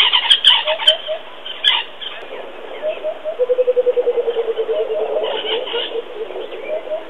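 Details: Busy bird chatter and sharp clicks open, then a coucal joins with short triple hoots and a long run of low bubbling notes sliding gradually downward.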